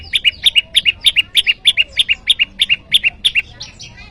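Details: Bar-winged prinia rival call, meant to lure wild prinias: a rapid, insistent series of about thirteen paired high chirps, each pair a quick double note, repeated evenly for over three seconds.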